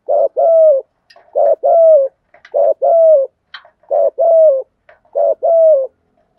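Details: Spotted dove used as a lure for other doves, giving five regular two-part coos, a brief note then a longer slightly falling coo, about once every second, with faint short clicks between phrases.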